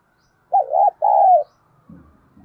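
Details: Spotted dove used as a decoy, urging coos to stimulate wild doves: a wavering rolling coo then a long even coo, with a low murmur afterward.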